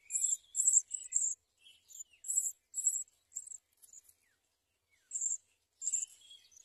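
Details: House sparrow feeding its chicks: short, high, scratchy chirps in quick clusters of two or three, with brief pauses and a longer gap midway, then more chirps.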